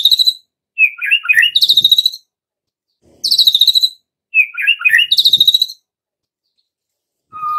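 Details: Lure song of a White-rumped shama for training young wild-caught shamas. Repeated phrases of tumbling warbles, each ending in a fast rattling trill, come roughly every three seconds, with a clear whistle at the end.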